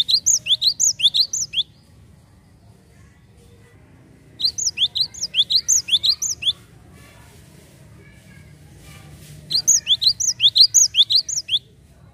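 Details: Java sparrow lure recording meant to prompt other birds: three bursts of rapid, high, sharp chirps, each about one and a half seconds long, separated by quiet gaps with a low background hum.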